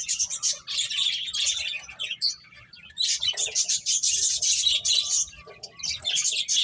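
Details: Finches chirping while playing, dense overlapping high twittering and short buzzy chirps from several birds, nearly continuous with brief pauses.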